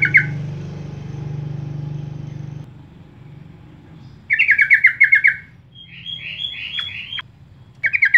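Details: Yellow-vented bulbul used as a lure to get other birds singing: after a steady low engine-like hum fades, bubbly chattering bursts of about seven quick descending notes, each burst under a second, sound at intervals.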